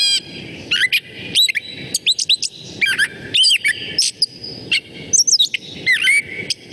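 A Gray Catbird rambles through a jumble of squeaky chips, slurred whistles and scratchy notes, each phrase different and delivered in quick irregular bursts without a repeating pattern.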